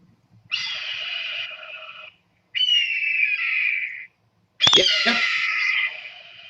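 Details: Red-tailed hawk screech, played back as a recording: three long, hoarse, slightly falling screams, each lasting roughly one and a half seconds with brief silent gaps between them. A sharp click marks the start of the third scream.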